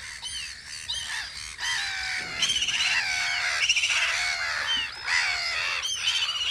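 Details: Gulls at their guard post on Audru polder in spring, a crowd of harsh, squawking calls overlapping continuously, with some rising and falling cries standing out above the chorus.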